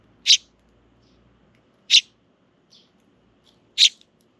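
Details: Begging sparrow chicks with parents in a park, June 2023: three strong, clipped chirps roughly one and a half seconds apart, with softer faint peeps between them and a low murmur underneath.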